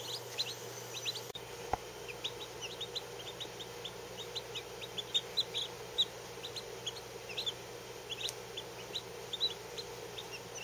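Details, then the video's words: Fourteen newly hatched Lavender Orpington chicks under a day old, some under four hours, resting under heat; many thin high peeps scattered throughout, a steady low hum and one brief knock early on. "14 Baby Lavender Orpington Chicks!!"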